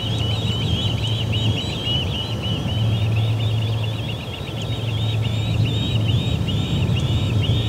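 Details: Ospreys at the Charlo P2 nest, August 20, 2020, 12:10pm MDT, ejecting returning visitor ospreys. Rapid, continuous series of high whistled chirps, steady and unbroken throughout, over a constant low hum.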